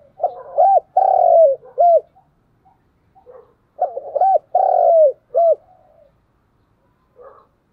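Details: Fighting coo of a spotted dove, a decoy bird challenging rivals: two full phrases about three seconds apart, each a stuttering start, a long steady hollow coo and a clipped closing note, with softer broken cooing between and at the end.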